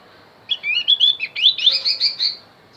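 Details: Javan white-eye song used to lure wild birds: a rapid run of high, twittering, warbled notes lasting about two seconds, sliding up and down in quick bursts.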